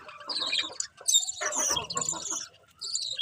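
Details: Budgies chatter in a quick jumble of high squeaky chirps and scratchy notes, with a louder burst in the middle and a short lull before a final chirp.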